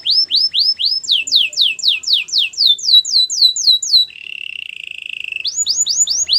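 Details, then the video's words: Canary singing a training song; a rapid series of high downward-slurred whistles, about four each second, then a buzzy rolling trill, then the fast slurred notes again. "Canary training song"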